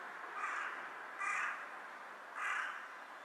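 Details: Wild carrion crow on an overhead power line, bobbing in a bow with each call, giving three rough, harsh caws at uneven spacing through strong broadband background noise.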